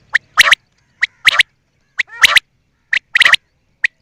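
A quail gives a short sharp note followed by a harsh double burst, with the phrase repeated about once a second against a quiet background.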